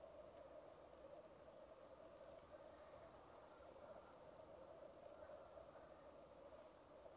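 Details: Seven seconds of unbroken rookooing from a black grouse lek: a deep, pulsing, bubbling hum holds steady throughout, with nothing else standing out. Captured on a Rode Videomic Go.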